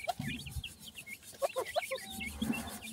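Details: Yellow partridge chicks being fed: short high chirps and peeps scattered through, with lower clucking notes and scratchy rubbing noises underneath.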